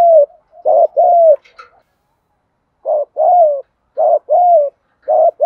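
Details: Spotted dove cooing, used for rousing wild doves and training decoys. Soft, hollow coos in short-long pairs, with a brief high twitter after the first bout, a pause of a second, then three more pairs.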